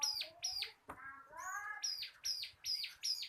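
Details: Caged bar-winged prinia of the local crystal kapas style, used as a training tutor, repeats loud arched high notes roughly every third of a second, broken once by a sharp click and a lower buzzy phrase.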